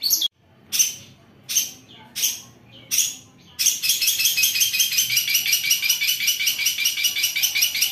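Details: Cendet or long-tailed shrike in its coarse 'kaca kaca bessetan' song: several separate loud rasping bursts, followed by a continuous rapid chattering rattle.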